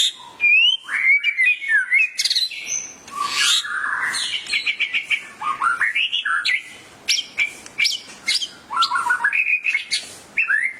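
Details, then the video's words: White-rumped shama bursting into excited 'gacor emosi' singing in response to masteran playback; varied rich phrases of clear whistles, fast trills and squeaky chips repeated in rapid runs across about eleven seconds. "murai langsung ikut gacor emosi mendengar masteran ini"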